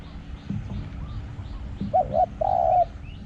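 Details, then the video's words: Spotted dove used as a decoy in Thailand; one phrase of two short, throaty, wavering coos followed by a longer drawn-out coo, low and mellow, over faint background hum and rustling. "ต่อนกเขาใหญ่ | เสียงเล็ก หอง คูก้อง สนั่นป่า"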